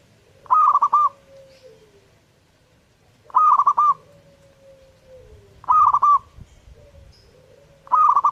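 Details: Lively zebra dove song: a crisp phrase of quick stepped coos repeated four times, each followed by a soft, lower, sliding whistle that falls away.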